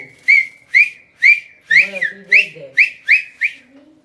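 A cockatiel gives a quick series of clear, rising whistles, about two each second.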